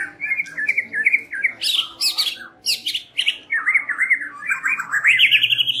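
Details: White-rumped shama evening lure song with fast rolling warbled phrases, sharp broad clicking notes and rising whistles, strongly repeated in bursts over a slight room-like background.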